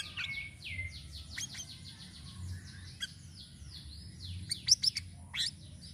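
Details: Sirisiri song variations played to attract birds: a rapid stream of high downslurred whistles and twitters, punctuated by sharp clicking chips, over a low background hum.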